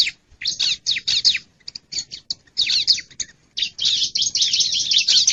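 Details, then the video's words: Bar-winged prinia lure sound for attracting wild birds: a dense, excited run of harsh, scratchy chirps and buzzy notes in rapid bursts, becoming almost continuous toward the end. "Suara Pikat Ciblek Liar"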